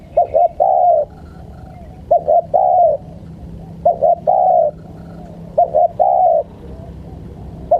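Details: Island collared dove, a bird lured in the wild, giving low cooing phrases: two short notes then a longer drawn coo, repeated roughly every one and a half seconds over steady background hum.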